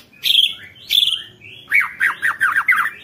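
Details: White-rumped shama song used to set off other shamas: two sharp high notes, then a rapid chattering run of five looping whistled notes.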